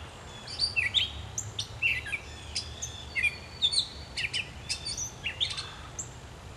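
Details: Gray catbird singing at dawn in July in Pennsylvania: a varied, jumbled run of short squeaky and mewing phrases, mostly high-pitched, delivered in quick bursts with brief pauses, over a low steady background hum.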